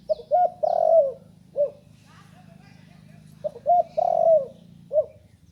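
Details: Spotted dove, a young bird recently learning to call, gives two phrases. Each has quick short coos leading into a long, hoarse, falling coo and a final short note, with a pause between the phrases.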